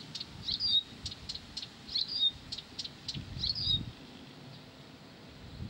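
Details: Persistent song of a Blyth's reed warbler: brief high whistled notes alternate with rows of dry clicking ticks, repeated in short bursts about once a second against quiet low rumble.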